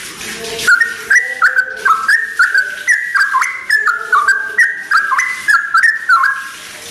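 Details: Sooty-headed bulbul singing at first light; after a soft low-pitched sound at the start, a lively series of clear whistled notes follows, stepping up and down in short bursts.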